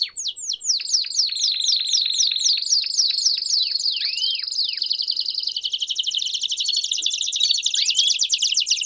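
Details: Canary campainha song with piados, recorded to train young canaries: a run of sharp descending sweeps, then a long, dense, very rapid buzzy trill.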